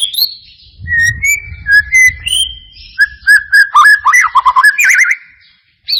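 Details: White-rumped shama song played as a lure to make lazy birds sing: high falling whistles, steady mid notes, then a quickening series of bright chirps and warbled loops over a low background rumble.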